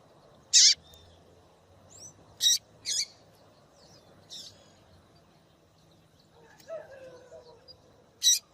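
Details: A female double-collared seedeater calls insistently to excite males, giving sharp, harsh chips at irregular intervals, some in quick pairs, with a brief lower rattling note near the end and a quiet background.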